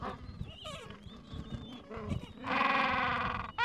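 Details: Gentoo penguins at the edge of a breeding colony in the Falkland Islands, tending two-to-three-week-old chicks on a mild afternoon; harsh braying calls build into a loud sustained stretched call near the end, over low rumbling background noise.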